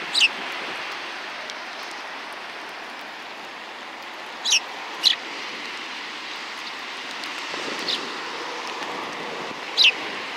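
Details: Sparrows recorded 31 January 2020: a few brief, high, clipped chirps spaced seconds apart, with long quiet gaps filled by wind hiss and distant rumble.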